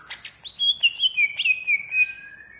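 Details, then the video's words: Greater green leafbird (cucak ijo) of the Banyuwangi type, kept by bird hobbyists, singing in the agitated ngentrok ngamuk style: a fast run of clear whistled notes sliding downward, then a long drawn whistle holding steady near the end. "Suara burung Cucak ijo Banyuwangi Ngentrok Ngamuk"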